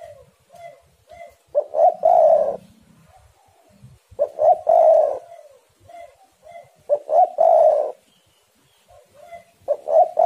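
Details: Spotted doves egging each other on in lively song, a lure to set doves cooing: low rolling coo phrases about every 2.5 seconds, short soft coos in between, and a few faint high chirps.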